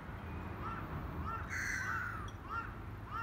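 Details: A crow gives one loud, harsh caw on the Hiragata Bay shore, Kanazawa-hakkei, Japan, about 1 pm on 1 February 2020, among swimming black-headed gulls that fly off after it calls; faint short calls, wind and water behind.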